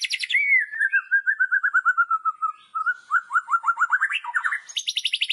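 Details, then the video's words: White-rumped shama singing a loud kretekan-style song meant to provoke other shamas: rapid rattling series of short notes, dipping slightly in pitch, then faster buzzy trills that rise near the end, with bursts of high chattering at start and finish. "KRETEKAN Keras Kicauan Merdu Sangat Jitu Memancing Emosi Murai Batu"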